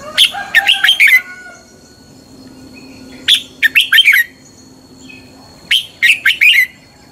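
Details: Fighting song of a red-whiskered bulbul during morning training: three brisk phrases of five or six sharp, bouncy whistled notes each, separated by pauses of about two seconds, low hum in the background.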